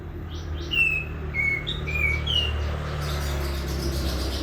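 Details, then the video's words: Prinia in vigorous song: four short whistled notes, each slightly falling, given about every half second over a steady low rumble, then fading to faint background hiss. "Katem gacor besetan di ahir"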